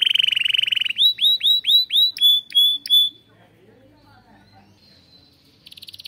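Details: Canary in a breeding room, song said to stimulate its chicks: a rapid buzzy trill, then a run of loud down-slurred whistles and sharp notes, a quiet pause and a new high trill starting.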